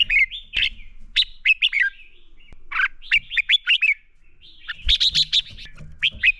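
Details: Lure red-whiskered bulbul singing fighting song used in training: almost continuous, energetic phrases of bright chirps and liquid whistles, briefly pausing once before a louder, denser burst.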